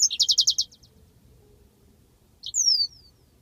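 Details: Yellow-fronted canary, master song for training birds: a quick buzzy trill fading out, a long quiet gap with faint hum, then a single high descending whistle.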